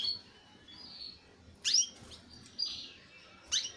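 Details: Young canary singing: thin high whistled notes and short sharp downward chirps, a few scattered phrases over quiet background.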